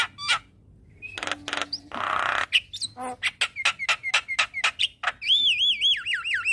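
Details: Javan myna lure song for getting a quiet bird to sing in the morning: scattered harsh squawks and a noisy burst, rapid sharp notes, then a looping wavering whistle.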